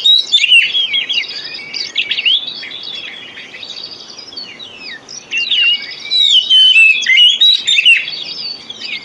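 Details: Magpie-robin song used to prompt sluggish or young magpie-robins into song: bright whistled slurs and busy chatter, a loud opening, a softer middle stretch, then strong varied phrases again.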